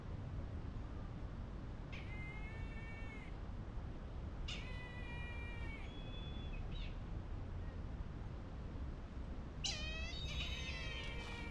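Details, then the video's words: A captive Brahminy kite in a giant enclosure at Aviary Park Indonesia in Bintaro, Tangerang Selatan, gives a mystical-sounding call: thin, drawn-out, mewing squeals of about a second each, three times over steady background hiss. "In this giant enclosure for the brahminy kite, you can hear its mystical-sounding call."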